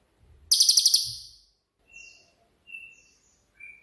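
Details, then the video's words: Cililin, 'tembakan' (shooting) style master song for songbirds: one loud, very high, fast pulsed buzzy trill of about seven notes, followed by faint thin whistled chirps. "BURUNG CILILIN COCOK UNTUK MASTERAN"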